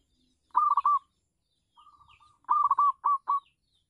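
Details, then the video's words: Local zebra dove singing on a house terrace as a lure: a loud rolling coo phrase, a quiet murmured run of notes, then five strong, separated cooing notes in quick succession. "perkutut lokal manggung di teras rumah bagus untuk pancingan"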